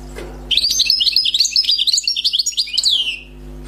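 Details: Newly captured wild European goldfinch singing a clean, continuous phrase of about two and a half seconds: rapid liquid twitters and buzzy trills, closing with a downward slurred note, over low background hum.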